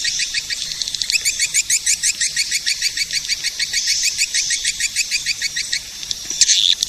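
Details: Edible-nest swiftlet calls used to attract swiftlets: a rhythmic series of pulsed high chirps, roughly three per second, over a continuous twittering background, ending with a louder burst of chatter.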